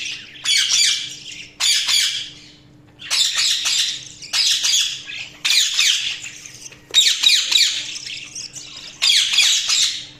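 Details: Budgerigars give repeated bursts of harsh, high chattering squawks about a second long, separated by short gaps, roughly seven bursts in ten seconds, with a faint hum in the background.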